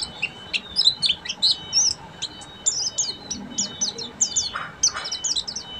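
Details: Oriental white-eye of the buxtomi type, singing in the ngeriwik style: a dense, nonstop run of thin, high chirps and quick twittering trills with brief overlapping notes and no pauses. A faint low background hum is present.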